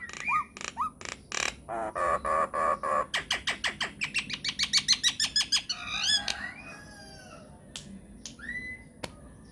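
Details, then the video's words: Myna lure song for provoking replies from other mynas: a fast run of sharp repeated notes that quickens and climbs, followed by squealing slurs and sparse whistles. "PANCINGAN / MASTERAN SAKTI UNTUK SEMUA JENIS JALAK, JALAK APA SAJA AKAN NYAUT | MYNAH BIRD"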